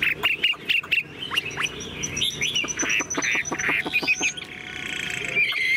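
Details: Tame caged Chinese hwamei singing from a carrying cage with its tail fanned: a rapid mix of sharp downward-slurred notes and brighter whistled phrases, then a sustained buzzy trill near the end.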